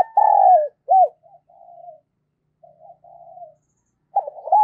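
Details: Spotted dove used as a decoy, calling to lure wild doves. A long falling coo and a short arched note, then soft quiet cooing, then the start of a new stuttered phrase.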